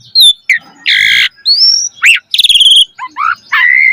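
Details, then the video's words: Chatty Asian pied starling singing a varied, rich repertoire meant to lure and train other starlings: a harsh grating burst, clear rising whistle, rapid trilled notes and squeaky upward slurs. "Suara Jalak Suren Gacor Full Isian Mewah Auto Bongkar Isian Pancingan Burung Jalak Agar Isian Bagus"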